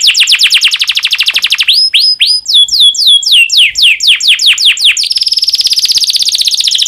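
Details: Domestic canary in breeding condition, song aimed at stimulating other canaries: rapid repeated trill, a chain of descending whistled sweeps, then a dense high rolling trill to the end.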